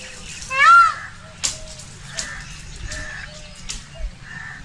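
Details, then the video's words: Indian peafowl, a peacock shown dancing, gives one loud, ringing wail that arches up and down, followed by scattered sharp clicks and faint soft notes. "peacock sound | peacock call & peacock dance | मोर ध्वनि || mor ki awaz"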